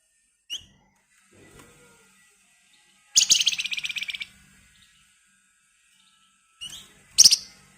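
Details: Agitated flamboyan bird singing a rapid, screechy song used to spur other birds into song: a brief high chip, then a dense buzzy trill of about a second, then more sharp chips and a short trill.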